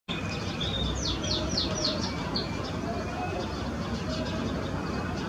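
Great-tailed grackle giving a quick burst of high, slurred whistles and squeaky notes over a steady thin tone, against a heavy low rumble of traffic.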